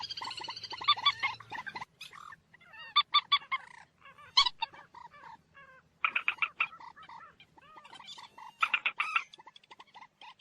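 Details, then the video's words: Moorhen chattering: an opening bubbling trill over a low hum, followed by repeated clusters of harsh, nasal clucking notes and scattered arched calls throughout. "ডুংখোর পাখির ডাক। Moorhen birds shound"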